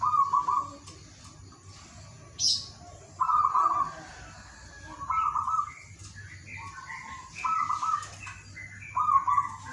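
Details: Zebra dove of local wild stock singing at morning to lure lazy singers: vibrating coo phrases repeated every one to two seconds, mixed with higher short notes from other doves and a brief scratchy noise.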